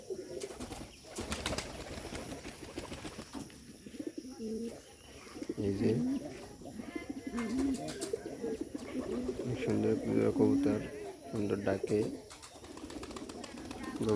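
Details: Domestic pigeons of the Bombay breed, about to be released from their loft, give low, rolling coos, with a man talking over them.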